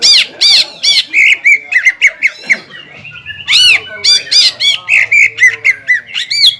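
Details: Loud greater green leafbird song used to provoke an opponent bird, bursts of harsh squawks alternating with rapid whistled chattering, arched notes repeated in quick rhythm, a faint low hum beneath.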